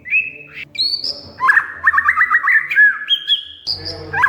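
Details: Oriental magpie-robin (kacer), a lure recording to make a silent bird sing: high whistles followed by a rapid run of repeated rattling notes and steady whistled tones.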